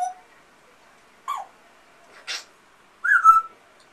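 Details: Pet male African grey parrot mimicking household sounds, including a pet amazon parrot: a short low whistle, then a few brief scattered squawks and a bright falling whistle near the end, with long quiet gaps between them.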